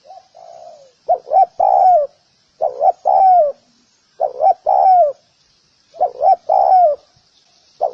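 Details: Spotted dove giving soft, hollow coo phrases, a quick double note then a long descending coo, repeated about every one and a half seconds against a quiet background.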